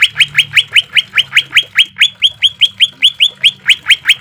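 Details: Fast volley of sharp rising whistled notes, roughly four per second, from a green leafbird in a harsh-note training recording for caged birds with added water trickle; notes slightly vary in slope, with a faint low hum beneath.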